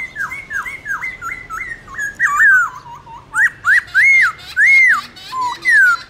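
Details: Morning competitive song of a caged black-throated laughingthrush kept for song training; a run of rich, looping whistled notes repeated quickly, then louder arched whistles about every half second, with a faint background hum.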